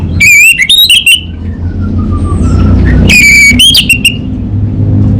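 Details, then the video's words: Orange-headed thrush (anis bata) singing gacor in the kabel konslet style, loud clear whistled phrases rising and falling, two bursts separated by a long thin descending whistle, over a steady low engine-like hum. "ANIS BATA Berkicau Gacor Membuat Burung Cepat Tanggap dan Respon Kabel Konslet Lanjut Ngeplong"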